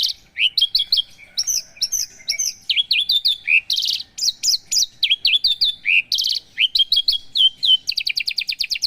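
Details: Caged Javan bush lark of the 'paksi aji' line in full song: a rapid, varied medley of high sharp chirps, slurred whistles and short buzzy bursts running without pause for nearly nine seconds.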